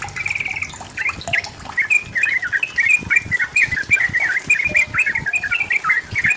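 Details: Yellow-vented bulbul singing to challenge and provoke a rival: a drawn-out whistled note, then a lively stream of slurred bubbly phrases.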